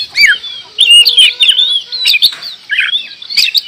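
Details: Oriental magpie-robin (kacer), Indonesia, in energetic 'gacor' song: curling whistled notes and warbling clusters alternate with crisp harsh chips, and a faint steady tone hums underneath.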